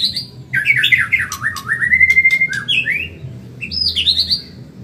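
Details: Caged Medan-type white-rumped shama delivering quick training song. Twisting whistled notes lead into a long level whistle, then after a pause a high, wavering whistled phrase follows. A low background hum is present.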